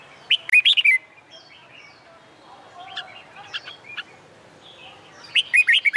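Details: Red-whiskered bulbul, sung in summer sunshine for song-contest training: a rapid cluster of rich whistled notes opens, softer chirps from other birds fill the middle, and another quick warbling burst ends it.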